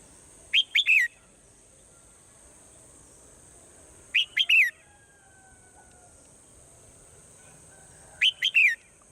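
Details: A swallow sings at morning, the same three-note whistled phrase three times roughly every four seconds, each two quick rising-falling notes and a longer descending one, above a steady thin hiss.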